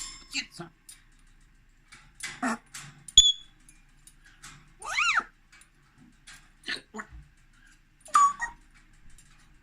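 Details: A grey parrot indoors producing speech-like utterances mixed with a human voice, a sharp whistled note near three seconds, a swooping rising-then-falling cry around five seconds, and another whistled phrase near the end.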